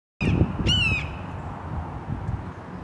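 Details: A Red-shouldered Hawk calling overhead on 25 February 2023 gives one loud, harsh, slightly down-slurred scream under a second long, over a steady low rumble of wind or distant traffic.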